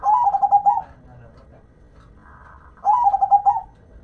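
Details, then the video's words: Cooing song of a zebra dove, kept as a local perkutut, in two short rhythmic phrases of rolling pulsed notes about two seconds apart, with faint quieter notes between. "Dengar Dan Rasakan Manggungnya, Suara Serta iramanya BIKIN CANDU"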